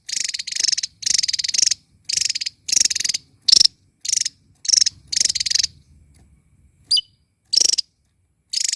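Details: Small bird in full, loud chatter while dancing: a string of harsh pulsed rattles, some long and some clipped, a pause, then a quick downslurred chirp and more rattles.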